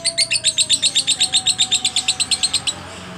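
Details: Ngekek from a contest lovebird in head-swaying style: about twenty crisp, high chirps in quick even rhythm, roughly four per second, ending abruptly before three seconds, leaving only a soft background hum.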